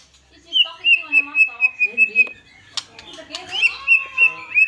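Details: Fighter-style song of a vigorously singing white-rumped shama: a steady series of clear, high whistled notes, about four per second, then rough chatter, then the whistled series again.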